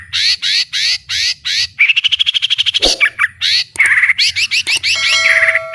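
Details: White-rumped shama singing at full volume: harsh buzzy bursts, a fast rattling trill, sharp chips and whistled slurs in a busy sequence, with a faint low hum and a steady tone near the end.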